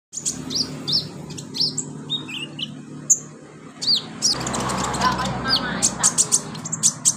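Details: Brown-throated sunbird chirping in a recording used as therapy to make kept birds sing. Sharp, high, thin chirps and short downslurred whistles are scattered irregularly, with a steady low hum and a burst of rushing noise midway.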